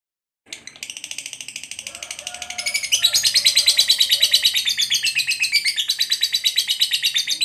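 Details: Lovebird for pet bird training: after half a second of silence, buzzy chattering notes start quietly, then grow louder and harsher from about three seconds, repeating rapidly and steadily to the end.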